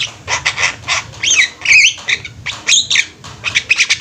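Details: A flock of Javan mynas kept together, in full song: rasping chatter broken by clear swooping whistles that rise and fall, with repeated harsh bursts from several birds.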